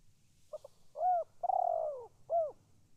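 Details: Calling spotted dove delivering one full phrase: a soft stuttered double note, a clear coo, a long purring coo that slides down, and a final clear coo, quiet background.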